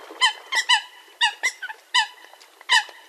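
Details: Eurasian coot, offered as a real hunting call sound: clipped nasal honks, some doubled, repeated irregularly over three seconds with brief gaps between them and little other noise.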